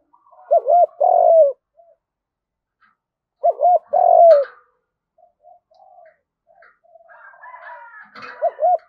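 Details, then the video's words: Field-style spotted dove fighting coo used to lure: two paired calls of a doubled arched note and a longer falling coo, several seconds apart, with soft scattered notes and a final doubled note. "tiếng cu gáy Đồng / chim cu gáy gù đấu và thúc bài bản giọng đồng"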